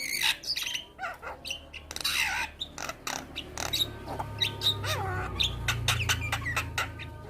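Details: Black-winged starling with white head in lively song, bobbing its head: grating rasps, clicks and a few slurred whistles over a low background hum.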